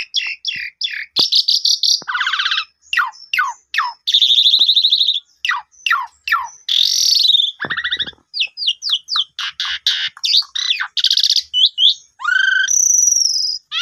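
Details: Asian pied starling song used as a lure recording to prompt a newly bought, silent bird to sing: a loud, varied run of sharp descending whistles, buzzy rattles, harsh squawks and clear high notes in rapid succession.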